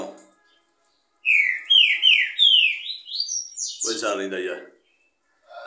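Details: Green-winged saltator (Saltator similis) singing on a Monday around 10 a.m.: a quick run of loud, clear slurred whistles climbing steadily in pitch, ending in a rougher, buzzier burst.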